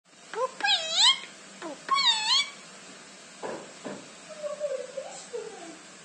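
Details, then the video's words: Two-year-old pet myna taught to say most words and sentences, talking indoors: warbling harmonic syllables with swooping rises and falls, in bursts separated by short pauses, then lower drawn-out notes. "مرغ مینا سخنگو"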